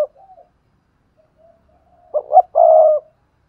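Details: Decoy spotted dove calling so newly caught doves will coo; soft low murmurs and a long pause, then one phrase of two rising coos and a steady, drawn-out croo.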